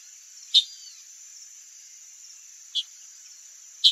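A Chalk-browed Mockingbird gives three short, harsh chack notes a second or two apart over a steady high insect drone.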